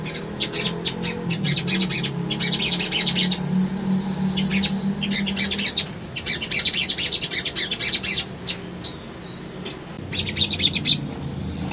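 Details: Sunbird singing on a track meant to provoke rival birds: long sequences of quick, sharp, high twittering and chips, a sustained thin whistled passage, intermittent pauses, faint low hum throughout.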